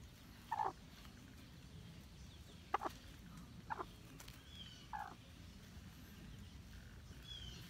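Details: Hmong black chicken producing four brief, clipped clucks at irregular intervals of one to two seconds, fairly soft against a low background rumble.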